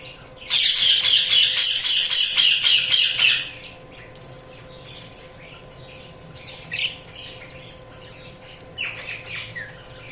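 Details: Budgerigars chirping: a loud three-second run of rapid, harsh, buzzy chatter, then quieter scattered chirps and two more short chattering bursts.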